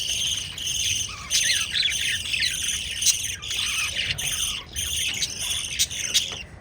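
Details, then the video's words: Pet lovebirds kissing and feeding chicks keep up a busy, high-pitched chatter of squeaks, trills and sharp clicks, loudest in the middle. "LOVE BIRDS CHIRPING sounds"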